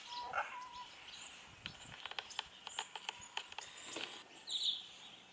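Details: A pair of white-browed woodswallows (Artamus superciliosus) in a large open aviary, feeding on mealworms, give short, harsh chirps and clicks in a loose scatter, then a brief higher squeaky note near the end, over soft background hiss.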